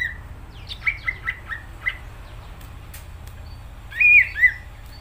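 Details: Greater green leafbird singing: a run of short chirped notes near the start, then a louder warbled burst with descending slurs after a pause, over a faint low hum.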